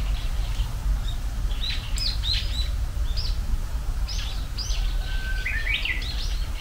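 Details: Japanese bush warbler heard giving the first song of this spring: a brief steady whistle near the end runs into a quick burst of rising and falling notes, among scattered high chirps from other birds and a low outdoor rumble.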